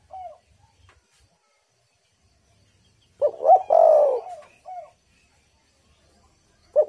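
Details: Spotted dove used as a lure to draw wild doves into calling; a soft cooing phrase of low, rounded notes near the middle of the clip, with brief single coos at the start and end and silent gaps between.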